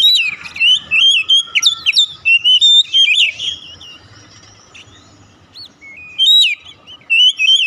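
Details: Kacer, the Oriental magpie-robin, singing a lure song meant to bring a stalled bird into full song. Quick run of sharp rising and falling whistles, a hushed gap, then more bright whistled notes.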